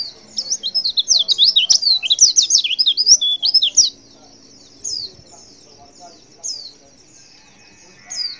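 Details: Female white-eye call meant to draw males into responding: four seconds of quick, high-pitched, squeaky twittering, then quiet with occasional isolated thin chirps spaced a second or more apart.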